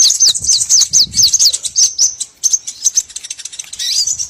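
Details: Small birds used as a trapping lure: rapid high chirps and thin downslurred whistles repeated about twice a second, with buzzy trills and a low rustle beneath.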